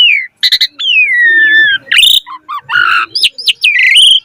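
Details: A Javan pied starling sings a full, varied song for training young starlings: a long, slowly falling whistle opens, followed by buzzy chatter, low gurgles and rising, twisting whistles toward the end.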